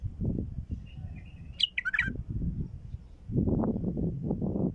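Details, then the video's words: Bulbul calling to lure wild bulbuls: a quick cluster of sharp, liquid whistled notes in the middle, set against heavy low-pitched background rumble and handling noise before and after. "ندهات بلبل خام لفتح البلابل القافله"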